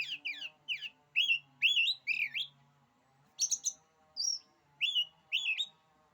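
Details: Oriental magpie-robin song said to make rival magpie-robins back down: rapid warbled and slurred whistled phrases over a low hum, a pause, then spaced high thin notes and clear rising whistles.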